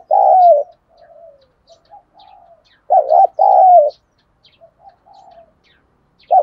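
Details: Spotted dove used as a lure for wild birds, 'thúc đấu' style: repeated loud coo phrases, a wavering double hoot and a longer coo, about every three seconds, with soft low coos and faint chirps between.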